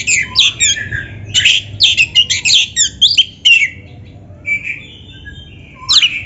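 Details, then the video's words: Kacer, the Oriental magpie-robin, in vigorous gacor song used as training material for beginner or reluctant kacer: clusters of loud, complex whistled and scratchy phrases over about three seconds, then a quieter gap with soft whistles and a final bright note. "SUARA BURUNG KACER GACOR MASTERAN"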